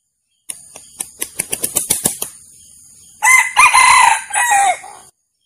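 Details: Male red junglefowl recorded for use as a lure: a fast, quickening run of sharp claps like flapping wings, a short silence, then a loud, hoarse, multi-part crow ending in a drawn-out fading note.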